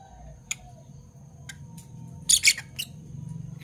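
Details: Morning calls from two Parblue Fischer's lovebirds, violet and turquoise pets: a few isolated ticks, then a loud cluster of three shrill, scratchy chirps near the middle, over a low steady hum.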